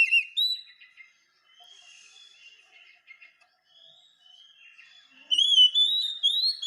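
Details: Oriental magpie-robin song as masteran for teaching caged birds: short loud whistles opening, a stretch of soft scratchy warbling, then a strong run of rising whistled notes to close.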